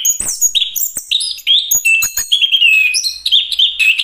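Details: Chestnut-capped thrush singing a fast, varied song of clear whistled notes and slurred phrases, jumping between mid and very high pitches, with short sharp chips between phrases.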